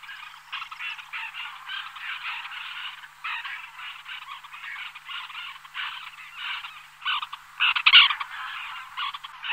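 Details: Several White-winged terns in a small flock on the wing give a nearly continuous, scratchy chorus of rasping calls, with a burst of louder, nearer notes toward the end.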